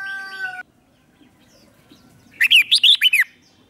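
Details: Red-whiskered bulbul acting as a lure to call wild birds: a steady tonal whistle-like sound at the start, silence, then one rapid phrase of five or six bouncing, bright whistles.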